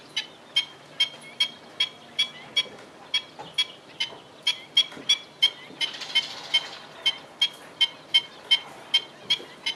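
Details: Black-winged stilt at Fubao, Changhua, on 28 April 2012 around 11:15 am, giving sharp, high yelping kek notes, repeated steadily about every half second, over a faint background hiss.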